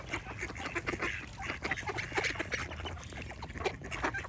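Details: Flock of ducks giving rough, nasal quacks in dense overlapping runs, some calls louder and more drawn out near the middle and end, over a constant low background murmur.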